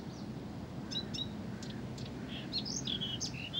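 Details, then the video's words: Tireless Blyth's reed warbler song: scattered sharp clicks and ticks, then a burst of varied whistled and slurred notes near the end, against a constant low outdoor hum. "САДОВАЯ КАМЫШЕВКА НЕ В СИЛАХ ПОМОЛЧАТЬ!"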